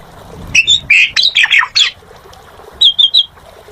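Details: Asian pied starling giving harsh, squawking notes in a short burst, followed after a pause by three clear whistled notes in quick series.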